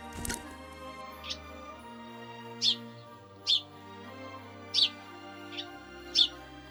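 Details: Eurasian tree sparrow in winter in central Russia, giving short, bright chirps at irregular intervals over soft background music.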